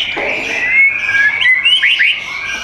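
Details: White-rumped shama kept in a cage for sale in South Tangerang, Indonesia, giving a long clear whistle followed by quick upward-sweeping notes in a short lively phrase.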